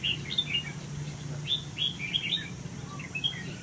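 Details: Red-whiskered bulbul of Huế stock in a golden cage delivers scattered clear whistled chirps, some rising and falling, spread across the phrase above a constant low hum.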